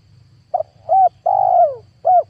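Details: Spotted dove lure call meant to pull in wild doves for trapping, from 2022. One full phrase is heard: a brief clipped note, a short arched coo, a long falling coo and a final arched coo, over a faint low hum.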